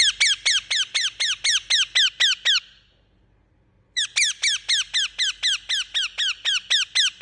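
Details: Parrot chirping: fast, even run of sharp, bright down-slurred chirps about four per second, a pause of over a second, then the series resumes just as regularly.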